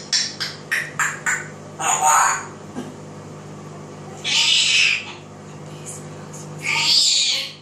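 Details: African grey parrot, a pet, singing and imitating voices: a run of quick clipped chirps, then longer breathy speech-like phrases and hoarse drawn-out sounds, with a steady low hum in the room.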